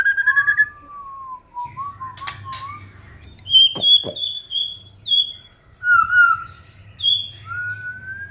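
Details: Village white-rumped shama singing: scattered pure whistles, some long and level, some slurred, with brief sharp clicks between phrases over a low steady hum.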